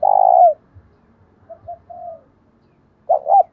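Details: Decoy spotted dove cooing to lure wild birds, 'thổ đồng' style: the loud tail of a long coo, quiet low notes, then the start of the next phrase with a sharp doubled note.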